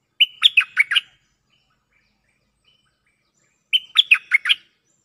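Cream-vented bulbul giving two short, bubbly phrases of about five quick, warbled notes each, about three seconds apart, with a quiet background.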